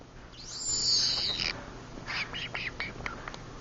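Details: Pet green-cheeked conure making soft noises while asleep in the dark: a drawn-out thin high whine, then a few short breathy chirps and clicks.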